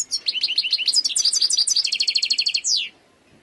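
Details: A wild European goldfinch delivers a quick, continuous phrase of high tinkling notes turning into an even rattling trill, closing with a long downward-slurred note; quiet background.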